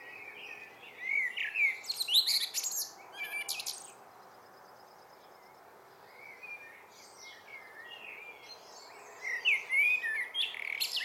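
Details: A common blackbird greets the evening with two song phrases about eight seconds apart, each made of mellow whistles and ending in high, squeaky twittering, with quiet in between.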